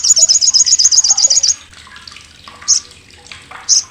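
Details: Sogok ontong (olive-backed sunbird) in its harsh, sharp crecetan chatter, a loud tutor sound for contest birds: a quick run of about a dozen high buzzy notes lasting a second and a half, then two short isolated chips.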